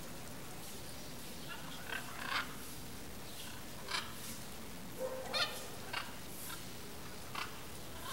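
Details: A pair of blue-and-yellow macaws (Ara ararauna), hidden in riverside forest vegetation, give harsh, raspy squawks, short single bursts every second or two, fairly faint over a steady background hiss.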